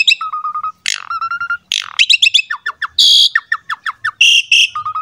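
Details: Asian pied starling song meant to coax young starlings into singing: low buzzy tones alternate with rapid chattering notes, harsh rasps and short repeated chips in quick sequence.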